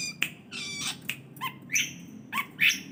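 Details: Long-tailed shrike giving a varied burst of harsh, buzzy squawks mixed with short upward-sliding whistled notes, loud and uneven over three seconds against a constant low hum.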